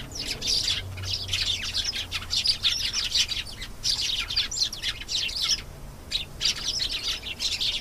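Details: Canary in full song, pouring out rapid high trills and chattering phrases, with one short pause near the end before the song resumes.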